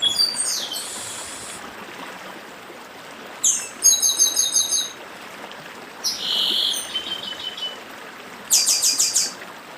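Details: Northeastern papa-arroz singing the dedim style near running water: four separate phrases of high, metallic trills and buzzy notes spaced a few seconds apart, with steady stream hiss throughout.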